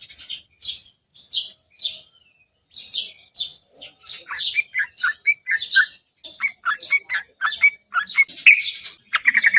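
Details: Yellow-vented bulbul lure song meant to draw an answer: sharp chirps at first, building into a quick series of bubbly, warbled notes that grow denser and busier toward the end.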